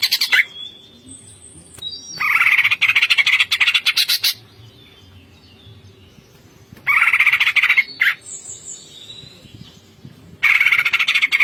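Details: Greater green leafbird singing a ngentrok song, full of fill-in phrases: loud bursts of rapid, dense rattling notes alternate with quieter pauses that hold thin high whistles and a faint steady hum.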